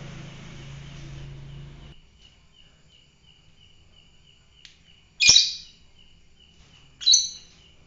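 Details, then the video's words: Fighter-type lovebird giving two loud, shrill, piercing chirp bursts a couple of seconds apart, with a steady high whine running underneath and a brief low rumble at the start. "fighter lovebird"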